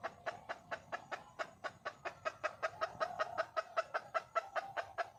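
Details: Red junglefowl hen calling for a male: a fast, steady run of short, clipped clucks, about two and a half per second, continuing throughout with slightly uneven spacing.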